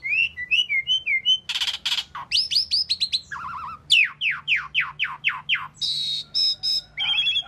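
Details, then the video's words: Asian pied starling singing and chirping: a varied run of whistled notes, harsh broadband bursts, buzzy trills and a series of repeated descending slurred chirps, loud and continuous. "Asian Pied Starling Bird Singing and Chirping"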